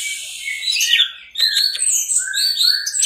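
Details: Orange-headed thrush singing teler for a masteran recording: rough, scratchy phrases, then rapid clicking notes and high, smooth whistles that repeat in quick succession.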